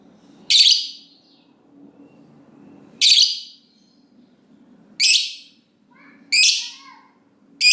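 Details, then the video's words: Lovebird uttering isolated harsh, sharp shrieks about every two seconds, with a couple of soft lower chatter notes in between and a low hum underneath. "Lovebird Ngekek Panjang"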